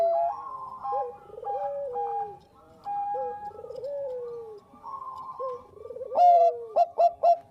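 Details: Bangkok zebra dove lure song: soft overlapping cooing with drawn-out steady tones and downward-gliding purred phrases, then a sharper run of three or four loud rolling coos near the end.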